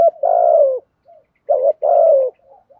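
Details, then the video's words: Male and female spotted doves coo to stimulate birds in training: two mellow, low, slightly falling coos, a long one then a short and a long pair, with soft quiet notes between them. "tiếng chim cu gáy kích bổi thúc gù bài bản"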